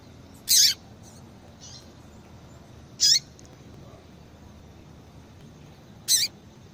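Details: Yellow-bellied seedeater female calling a lot, a sound that prompts males to sing; three loud, high, scratchy chirps at roughly two-and-a-half-second intervals, with faint softer notes in between.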